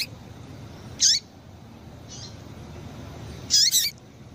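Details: Female double-collared seedeater calling to stimulate males: a high chip with a falling tail, a faint softer note, then a doubled burst of two quick high chips, over gentle background hiss.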